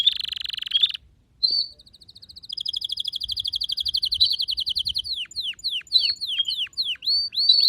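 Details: Canary singing: a harsh rattling trill, a short silence, then a long run of rapid, evenly repeated chirps, ending in a series of sharp downward-swooping whistles about three per second.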